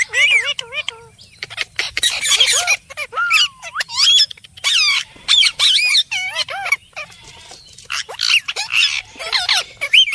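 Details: Parrot chattering almost nonstop: wavering warbled notes, squeaks, harsh squawks and whistles tumbling together in dense bursts with brief gaps.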